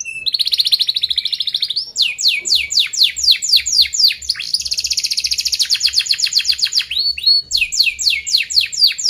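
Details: Lively canary song used to tutor young canaries, with tight rolled trills: buzzy high rattles, then rapid downward-sweeping whistled notes repeated about four per second, a sustained dense trill, and more fast descending sweeps.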